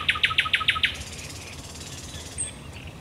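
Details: Thrush nightingale singing by night at the Raszyn Ponds, Poland, 10 May 2021: six loud, evenly spaced knocking notes in under a second, followed by a long rasping buzzy trill and a thin high whistle.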